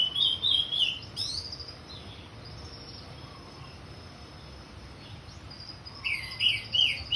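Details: Orange-headed thrush 'ngeplong' song: an opening run of loud, liquid whistled phrases, a long quiet stretch with faint notes, then another burst of bright, rapidly varied whistles.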